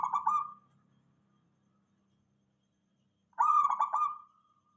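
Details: Zebra dove, a local bird, singing as a lure for other doves: two bursts of quick rolling, bubbly coos about three seconds apart, with silence between and a faint low hum.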